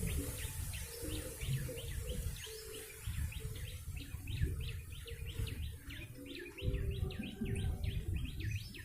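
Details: A lively, chattering yellow-bellied prinia, used as a bird lure, gives a rapid series of high, sharp, flicking notes, each swooping down and up, continuing steadily over a low rumbling background with faint mid-pitched tones.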